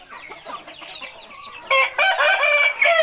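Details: Rooster crow: faint mixed calls at first, then a loud, bright, harmonic crow broken by short gaps over the last second and a half.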